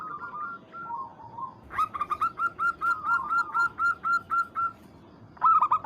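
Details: Zebra dove, local type, calling to challenge a rival. Soft coos lead into a long, even series of about fifteen clear, ringing notes, then a final loud burst at the end.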